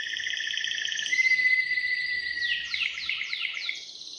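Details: Waterslager canary, bred for song rather than looks. A layered whistled trill and a pure sustained note lead into fast descending sweeps, repeated gliding falls like dripping, bubbling water sounds.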